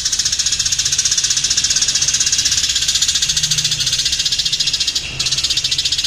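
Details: A house sparrow in fighting mode chirps in a long, dense, unbroken stream of sharp, high notes, about four a second, with a brief pause near the end.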